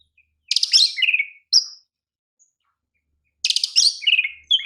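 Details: Oriental magpie-robin, a champion kacer used for song training, delivers two matching phrases about three seconds apart, each a rapid rattle of chirps falling into a descending whistle, the first followed by a short clear note.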